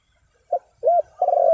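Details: Spotted dove, a call used to lure wild birds. A short clipped note, then a bowed coo, then a long, loud, rolling purr, in a brief fragment with a quiet background.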